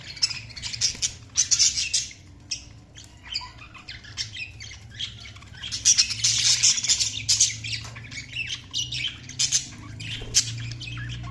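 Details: Continuous budgerigar chatter, a dense run of high scratchy chirps and warbles that swell and fade in waves with almost no pause.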